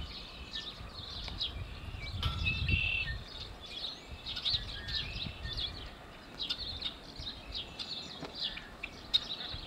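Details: Yellow-headed blackbirds at Malheur Wildlife Refuge, Harney County, Oregon, in April 2024; a busy, fairly faint chorus of harsh, buzzy and scratchy notes from several birds overlapping throughout, over a low rumble of wind.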